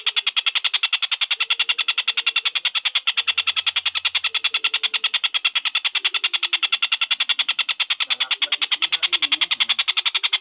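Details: Collared kingfisher (tengkek buto), tutor audio for lovebirds: a continuous, very fast rattle of grating kek notes repeated evenly, close to ten per second, across ten seconds, with only faint low tones in the background.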